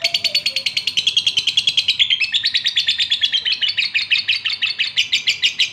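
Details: Male lovebird in breeding condition calls the female with a long, rapid series of shrill, scratchy chirps, about three per second, high and metallic, with a brief lower whistled note near the start.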